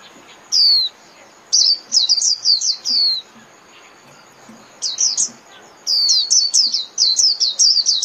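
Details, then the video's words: A white-eye sings to gather its flock, giving separated phrases of high, thin, descending whistles, each phrase a cluster of rapid chirpy slurs with short silences between. "Chim Vành Khuyên (Chim Khuyên) hót gọi bầy"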